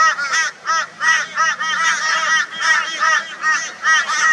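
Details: Crows mobbing a barn owl in Brisbane, Australia, on 22 February 2022: loud, raucous, nasal cawing notes with arched harmonics, repeated roughly two to three times per second in an uneven rhythm.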